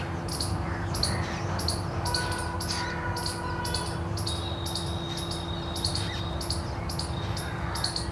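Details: Jungle Babbler chicks in juvenile plumage chirp for a feeding parent from below a bamboo-thicket nest. Short, high, sharp chirps come in quick regular bursts throughout, with faint steady tones and a low hum beneath.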